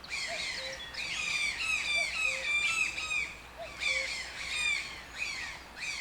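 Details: Harsh, croaky toucan calls in dense clusters of downward-bending notes, with brief pauses between clusters; a few soft, lower whistled notes sound faintly underneath.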